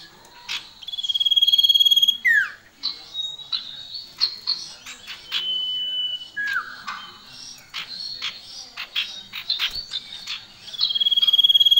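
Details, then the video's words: Common iora male and female, lively and loud: long pulsed high whistles bracket a busy middle of sharp chips, level whistles and drooping slurred notes. "Sirtu Jantan Dan Betina Gacor"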